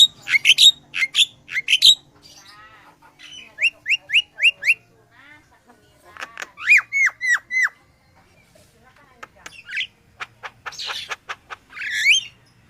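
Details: Sooty-headed bulbul singing energetically, a recording meant as a lure for attracting birds: bright hooked whistled notes in quick runs of three to five, separated by short pauses, with some chattering and rapid buzzy notes near the end.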